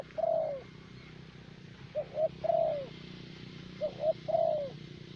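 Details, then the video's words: Spotted dove, a caged decoy bird of the thổ bầu type kept in Vietnam for luring; low hollow cooing phrases of two short notes followed by a long drawn, falling coo, repeated about every two seconds over a steady background hum. "Terkurkur លេងបានល្អបំផុតនៅវៀតណាម។"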